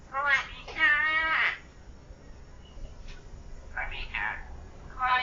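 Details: Pet common hill myna under one year old imitating human speech: harmonic, voice-like syllables with rising and falling pitch in short bursts, a long wavering phrase near the start, then quieter broken syllables.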